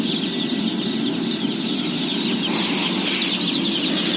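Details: Day-old chicks, 17,000 head, at feeding: a high continuous twitter of overlapping peeps above a heavy low rumble, with a broad hissing swell in the second half.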